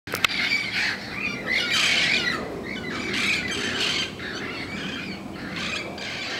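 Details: Protected red-crowned parrots squawking outside in the morning, a daily wake-up chorus: harsh, noisy squawks overlapping in bursts about every second, several birds calling at once over a steady outdoor background.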